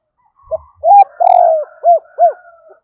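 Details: Lure spotted dove calling to entice wild doves; a soft introductory note, a short coo, a long buzzy trembling coo falling slightly, then two rounded short coos, with a faint low knock at the start.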